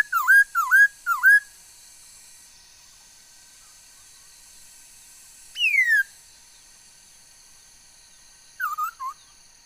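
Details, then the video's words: Chinese hwamei singing on 13 August 2021, a bird said to produce many kinds of sounds: three rapid dipping whistles, a long gap, one bright downslurred whistle, then a short dipping burst with a quiet hum underneath. "noog sab hwj txawj quaj tau ntau yam suab khúớ mầi hót"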